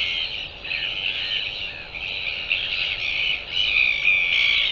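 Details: Northern royal albatross calling, recorded 28 January 2023: a continuous, harsh, nasal braying with rapid pulsing, swelling and fading in loudness and growing louder toward the end; no other clear sounds.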